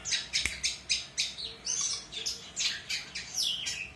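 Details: Long-tailed shrike singing vigorously for use as a training recording for young birds: harsh, scratchy squawking notes mixed with thin whistles, given in uneven bursts.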